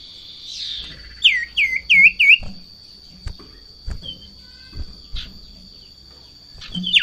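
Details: Sirtu in breeding condition, excited at the sight of a rival or female, utters four strong hooked whistles in quick succession, followed by sparse faint notes and soft knocks under a thin continuous high tone.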